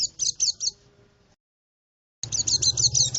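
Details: Forest bird-luring song of a white-eye: a few quick high chirps that trail off into a gap of silence, then a dense rapid twitter of sharp notes with low background hum.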